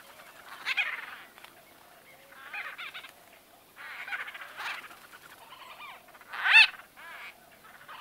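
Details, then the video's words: White-fronted bee-eaters in close conversation: scattered soft rolling trills and chattering bursts, ending with a loud sharp call near six and a half seconds, over a quiet background. "White-Fronted Bee-Eater. NB: Exact Date Of Recording Not Known. MCU-CU Conversa"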